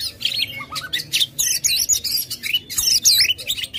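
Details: Lure song of an aggressive white-rumped shama with tail open, a dense nonstop stream of looping whistles, sharp chips and rapid trills, loud and bright.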